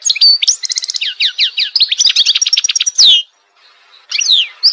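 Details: Goldfinch song: rapid bright twitters and short trills, then a loud downward-sweeping squeak. After a pause of nearly a second, a few more sweeping high notes follow.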